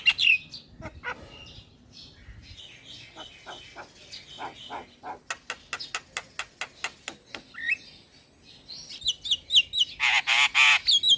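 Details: A young male black-winged myna, caged, gives a long series of evenly spaced dry clicks, then bright squeaky whistles and a dense buzzy rattle near the end.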